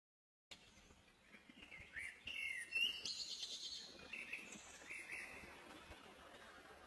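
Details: Wild Blue Jay pecking grain gives a few short, harsh, buzzy notes in quick bursts, loudest midway, over a faint steady background hiss.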